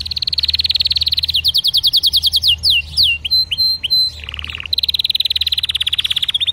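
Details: A canary sings a varied song. It starts with a rapid high rattling trill, then moves to fast downslurred notes and brief chirps, a lower buzzy burst, and a final fast high trill.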